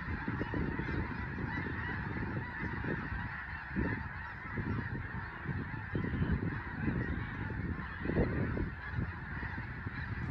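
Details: Large flock of Snow Geese taking to the air on Fir Island in the Skagit Valley, western Washington State, after a raptor such as a bald eagle flies over; a dense, continuous chorus of honking over a heavy low rumble of wings and wind.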